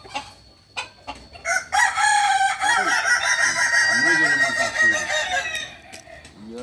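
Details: Kukuak Balenggek rooster crowing at a Sunday practice meet in Ampangkualo. Short clucks lead into one sustained, steady, multi-note crow lasting about four seconds. Wavering lower calls from other birds or people run beneath it.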